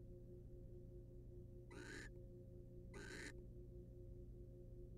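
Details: Wild barn owl pair at a monitored nest box, the male preening the female's feathers; two short harsh broadband hissing screeches, each about half a second, over a steady low hum.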